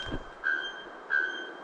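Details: Bare-throated Bellbird heard on a dry-season forest trail to the Cachoeira do Fojo waterfall, Santo Amaro da Imperatriz near Florianópolis, Brazil: two loud, ringing metallic notes about two-thirds of a second apart, with a faint steady high hum behind.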